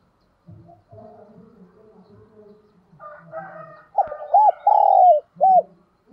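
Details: Decoy spotted dove cooing to call in wild birds. After quiet low background sounds, one phrase arrives: two short arched notes, a long downward-sliding coo and a brief closing note.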